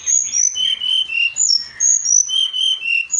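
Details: Brown-chested jungle flycatcher singing, a masteran tutor recording, with quick, high, clear whistles that slide up and down in short overlapping phrases, several notes each second, and no other clear sounds.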